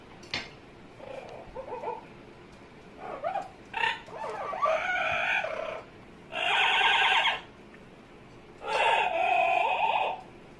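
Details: Pet Amazon parrot making funny noises indoors: wavering, warbled notes and gurgles, then two long loud harsh squawks with rich harmonics, each about a second long, several seconds apart.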